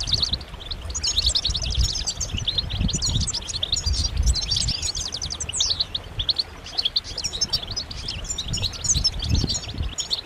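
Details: Several European goldfinches twitter together in mating and readiness calls meant to spur males to sing: dense, fast, high tinkling notes and buzzy trills run continuously, with low rumbling thumps in the background.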